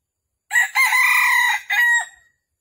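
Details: Red junglefowl lure call for trapping, described as a hen calling a rooster, Vietnam, morning of 13 December 2021: a loud, rasping crow-like phrase of about two seconds, broken once before a shorter, falling final note.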